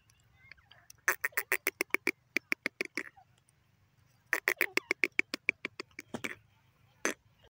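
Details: Grey francolin (teetar) calling: two loud bursts of rapid, harsh, rhythmic notes, each series about two seconds long, separated by a short pause, with a single louder note at the end and a faint low hum beneath.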